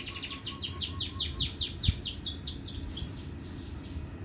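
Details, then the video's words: Canary resuming its song after its cage cover was changed: a loud, rapid trill of high, sharply falling whistled notes, about two or three per second, slowing and softening toward the end, with low background rumble. "Setelah ganti baju mulai bunyi lagi"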